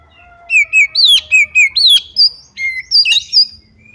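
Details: Female white-rumped shama call meant to lure other shamas into singing: a rapid series of about twelve loud, bright whistled and slurred notes, some rising and falling sharply, over roughly three seconds.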